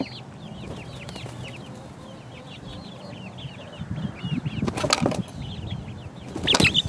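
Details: Four-week-old chicks pecking around, a busy chorus of high, quick peeps, with rustling and scratching noises growing louder in the second half and sharp clattering bursts.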